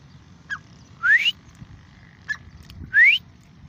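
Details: Grey francolin, known locally as irani teeter, utters two loud upslurred whistles about two seconds apart, with a few short faint notes between them over a low background hum.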